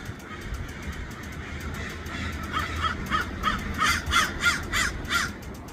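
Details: A flock of crows in Los Angeles gives a rapid series of harsh, raspy caws, about three a second, growing louder and denser toward the end over low background hum.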